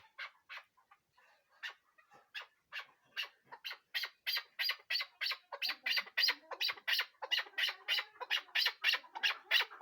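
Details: Chukar partridge calling: a fast series of harsh, broadband chuck notes that start sparse and build into a dense, accelerating rally of loud repeated chak notes, several per second, with no other clear sounds.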